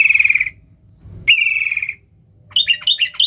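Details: Sooty-headed bulbul sound used to call wild bulbuls: two drawn-out, harsh, buzzy notes followed by a quick series of sharp, rising chirps.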